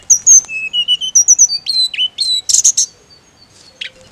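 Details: Mountain leafbird gives steady whistled notes at different pitches, then a short loud burst of rough chatter, and ends with a faint slurred note.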